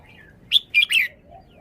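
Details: Red-whiskered bulbul kept in a cage, giving a short song phrase of three loud, bright, bubbling notes after a faint whistled slur.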